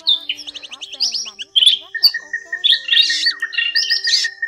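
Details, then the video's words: Drongo calls, including black drongo, forest drongo and fish-tailed drongo types, played as a lure for night net trapping: busy high chirps, whistles and harsh notes overlapping, with steady tonal hums running underneath. "Tiếng Bẫy Bắt Tấc các loại chèo bẻo , chèo bẻo rừng , chèo bẻo đen , đuôi cá chèo bẻo"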